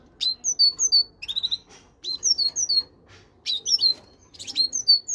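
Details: Great tit voicing short groups of high, clipped whistled notes, some doubled and dropping in pitch, repeated in four brief bursts with small clicks between them.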